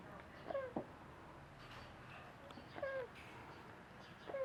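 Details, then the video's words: A pet male parrot gives three short, mewing, downslurred, faintly cat-like calls spaced a couple of seconds apart, his pupils shrinking each time he makes the sound. "Parrot makes a funny sound"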